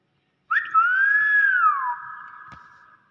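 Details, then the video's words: Common hill myna imitating human speech, "bakpao": a single loud, clean whistle that rises slightly, holds, then glides down and fades, with a faint tap and people talking nearby. "Burung Beo Pintar Ngomong Bakpao"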